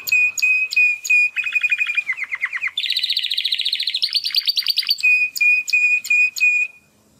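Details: First song attempts of young male Timbrado canaries, two brothers bred in 2020, after their first molt: repeated clear whistles, a descending trill, a dense buzzing roll, then whistles return.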